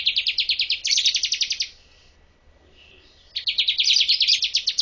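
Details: Master song of a bar-winged prinia for training birds: long runs of rapid, high chirped notes, a pause of over a second, then another extended trill growing louder.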